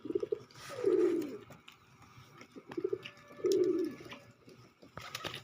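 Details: Pigeon repeating a low coo twice, a short rising note then a drawn-out descending purr roughly every two and a half seconds, with a faint hum and a brief knock near the end.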